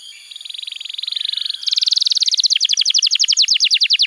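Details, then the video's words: Canary singing vigorously, used to tutor young canaries and to coax silent ones into song: a steady buzzy trill that steps up into a faster, higher roll, then a run of sharp down-slurred notes about six per second. "Pancingan Suara Kenari Gacor‼️ Ampuh untuk Masteran Kenari Muda dan Terapi Kenari Macet Bunyi"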